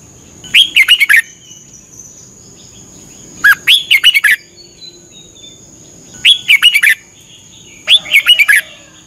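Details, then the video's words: Training song of a red-whiskered bulbul from Thailand, played 30 minutes every morning; four near-identical bubbly phrases of five or six quick whistled notes repeated roughly every 2.5 seconds, steady high-pitched hum throughout. "นกกรงหัวจุก ฝึกหงอนเป็นเวลา 30 นาทีทุกเช้าเพื่อช่วยให้นกเรียนรู้ที่จะพูดได้อย่างรว"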